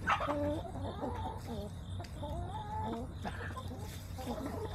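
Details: Backyard hens, filmed on September 21, 2024, clucking on a chicken camera: a run of short, low, harmonic clucks and soft murmuring notes repeated every fraction of a second, over a steady low background hum.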